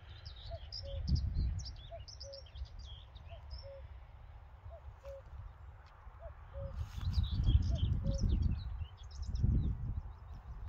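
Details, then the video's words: A cuckoo at Bockagh repeats its low, falling two-note 'cuck-oo' about every second and a half, with high chirps from small birds and a wind rumble behind. "Cuckoo calling"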